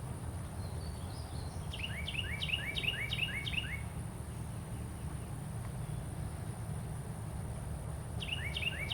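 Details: Outdoor Carolina wren calling with a quick series of about six repeated ringing, downward-sweeping notes, then a long quiet gap before a fresh bout begins, set against constant low background rumble.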